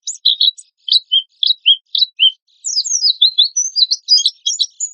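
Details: Oriental white-eye in vigorous 'gacor' singing with a harsh 'tembakan kasar' style, used as a lure: high, rapid chirps and short twittering phrases, with a brief pause near two and a half seconds, then a dense run of overlapping notes.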